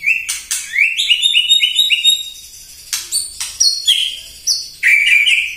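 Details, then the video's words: White-rumped shama morning song meant to stir up other birds: fast series of rising slurred whistles, then sharp chips and clear high notes, ending in a loud warbled phrase. "PAGI-PAGI MURAI AUTO EMOSI MENDENGAR PANCINGAN INI"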